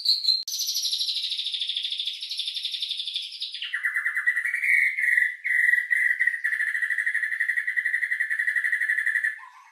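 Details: White-rumped shama lure song with rich filler to raise emotion and breeding drive: a long high rattling trill that drops abruptly to a lower, steady rapid trill lasting several seconds.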